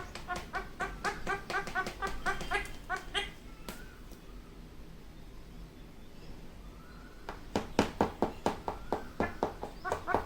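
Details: Pet ringneck parrot (rose-ringed parakeet) kept indoors, talking to a mirror: rapid runs of harsh, harmonic chattering notes about two per second, a pause with a soft rising whistle, then another burst of quick repeated notes.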